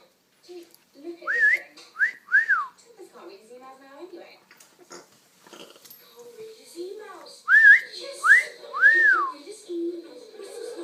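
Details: A male African grey parrot, a pet recorded from a distance because he goes quiet when approached, gives two bursts of three clear rising-and-falling whistles, mixed with soft chattering, speech-like mumbles and clicks between them.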